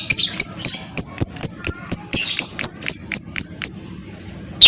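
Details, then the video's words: Lovebird in ngekek, played to stir other lovebirds into song: a fast, steady series of sharp, high ticking kek notes, briefly thickened by harsher overlapping chirps midway, fading out near the end. "PANCINGAN Burung Lovebird CEPAT PANAS Lanjut Lovebird Akan NGEKEK"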